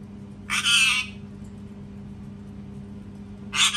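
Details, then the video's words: A parrot screams twice: a long, grating, broadband squawk of about half a second, a pause of over two seconds, then the start of another harsh screech; low hum throughout. "PARROT SCREAMING TOO LOUD | PARROT SCREAMING SOUNDS"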